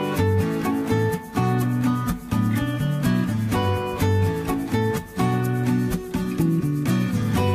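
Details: Guitar music plays throughout with plucked and strummed notes and steady chords, and no animal sound is heard.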